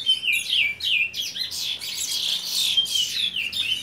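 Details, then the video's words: Young chestnut-bellied seed finch, aged seven months, producing a dense burst of looping whistles and downward-slurred notes mixed with buzzy chatter, loud and steady throughout the short phrase. "CURIÓ FILHOTE 7MESES"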